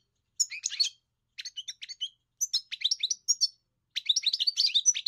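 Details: European goldfinch singing in short bursts of fast, tinkling twitters and trills, bright high notes mixed with buzzy chips, separated by brief pauses; clean recording with no other sounds.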